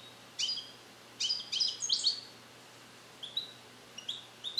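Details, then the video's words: Young captive male European goldfinch, born 2021 in the USA and tutored in Neapolitan passages he has not yet mastered, recorded alone in a carrier: short bright chirps, then a quick cluster of ringing notes, then scattered thin whistles. "Cardellino Passata Napoletana 2021 - European Goldfinch - Jilguero cante limpio"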